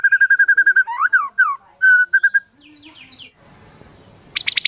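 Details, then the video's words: A white-rumped shama in full active song, a song filled with imitations of other birds such as the sooty-headed bulbul. A fast series of clear whistled notes is followed by rising and falling slurred phrases, then softer twitters and a sharp burst. "MURAI BATU GACOR FULL ISIAN TEMBAKAN KAPAS TEMBAK DLL"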